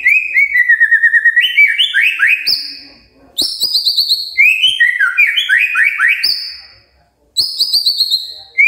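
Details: Early-morning magpie-robin song meant to make other birds reply: rapid rising and falling whistled phrases, repeated high slurred notes, broken by short silences.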